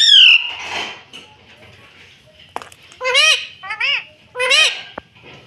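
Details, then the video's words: Rose-ringed parakeet saying "mummy": a loud shrill call first, then three paired arching harmonic syllables later on, with faint rustling and a click in between. "मम्मी बोलने वाला तोता"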